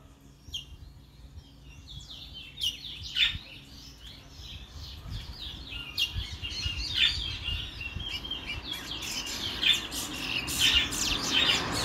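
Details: Guyanese brown towa towa, a chestnut-bellied seed finch, starting with scattered notes and then building into a long, fluent warbled song of high whistles and rapid chirps, with sharp emphatic notes and steady background noise.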